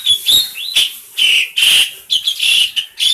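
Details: Tame caged black-collared starling, receh singing meant as a master for other birds: dense run of grating screechy notes mixed with brief shrill whistles, nearly continuous.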